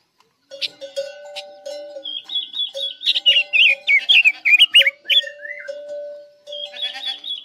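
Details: Chinese hwamei (Guilin type) singing as a trap lure: a rich run of loud, rapidly changing whistled phrases, sliding up and down, with a few sharp clicks and over a steady low background hum.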